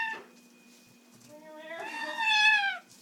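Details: Caged Amazon parrot indoors at bedtime, refusing to sleep and imitating a complaining cat: a long, drawn-out, wavering meow that swells and then falls away, preceded by a faint thin tone. A person's voice is heard briefly at the start.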